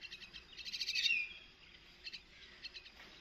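Myna chick begging as it is fed: a rapid run of harsh, high chattering notes building for a second, then scattered squeaky calls.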